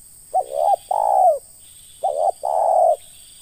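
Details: Spotted dove (terkukur) giving the ngeruk call, recorded in a bird-luring (pikat) setting: two coo phrases, each a short mid-pitched note followed by a longer, slightly falling drawn-out coo, with a faint steady high whine behind.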